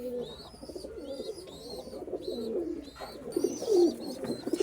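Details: Several domestic pigeons in a loft, including Rajshahi Giribaz birds, coo in low, rolling, throaty overlapping notes with faint higher chirps and room echo; two males call together, recorded July 4, 2024.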